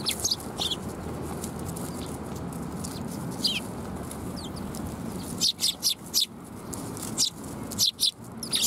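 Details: Sparrows visiting a Tenmangu shrine for food on 7 January 2021; scattered faint chirps early, then a louder cluster of crisp high notes in the last few seconds, over steady low rumble.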